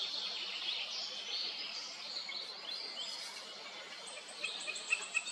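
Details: Wood warbler song: after a few seconds of faint overlapping bird chatter and steady hiss, a run of sharp, very high ticking notes starts near the end and speeds up into a quick stuttering series.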